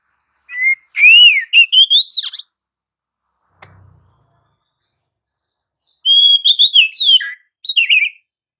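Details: Oriental magpie-robin in vigorous, continuous 'gacor ngerol' song, played as a lure to set other magpie-robins singing; loud, clear whistled phrases, rapidly rising and falling, delivered in two bursts about four seconds apart with a faint click between.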